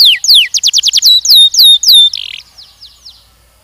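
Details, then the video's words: Young canary in mating training singing a fast series of descending whistled notes, then longer drawn-out downward slurs, fading into soft distant chatter. "Canção DAHSYAT CANARIES BIRDS 2023..! treinamento de acasalamento de machos e fêmeas jovens"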